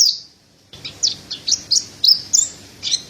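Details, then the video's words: Spaced, high chirping notes from a Mountain white-eye, about three each second, after a short silence. Noticeable background hiss and low hum are present. "Terapi Burung Pleci Dada Putih Gacor | Masteran Pleci Montanus"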